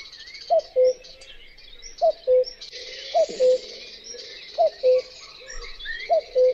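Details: Common cuckoo (Cuculus canorus) repeating a mellow cu-coo five times, roughly every 1.4 seconds. Each call opens with a slightly higher, dropping note and ends on a lower level note. Thin chirps of other birds or insects run high above.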